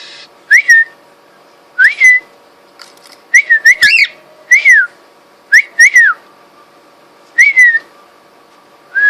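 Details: Two-and-a-half-week-old baby cockatiels with their mother, who turns aggressive: clear, whistled notes that rise and fall, repeated every second or two.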